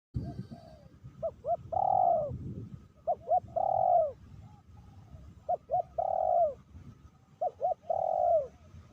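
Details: Spotted dove calling during rain in Meratus as a lure bird for trapping wild doves: low, mellow coos, each a pair of short notes then a longer drawn-out note, in three phrases about two seconds apart over soft rain noise.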